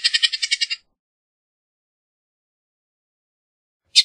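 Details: Bullock's oriole giving a dry, harsh chatter of about eight rapid rasping notes in under a second, followed after a long silence by one short buzzy note.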